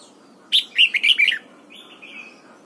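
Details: Morning singing of a red-whiskered bulbul trained for the 'âm kép già rừng' double-note song: one loud, fast phrase of about six bubbly whistled notes, trailing into softer lower warbles.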